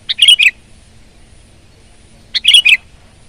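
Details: Two matching short phrases from a sooty-headed bulbul (kutilang), each three or four quick bright notes dropping slightly in pitch, spaced about two seconds apart against a quiet background.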